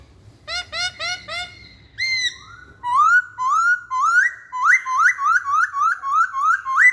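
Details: Loud whistled song of a masked laughingthrush. A few short bright notes open it, then rising slurred whistles come about twice a second, repeated roughly eight times and growing stronger, with a soft low background hum.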